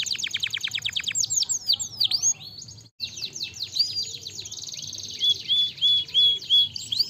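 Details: Canary song used to encourage a lazy canary to sing: quick descending chirps at the start, a brief silent break, then rolling high trills and short upslurred whistles.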